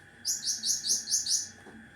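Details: Sharp besetan-style song of a cucak ranting, a model for tutoring other birds: six bright, very high chirped notes fired off evenly at about four per second, then a pause, with a faint low hum beneath.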